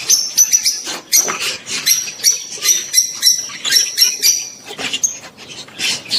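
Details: Lovebirds, rosy-faced and Fischer's, chatter in a mating display aimed at stimulating the female to breed. Overlapping shrill squeaks and thin high whistles pile into a continuous busy twittering from several birds.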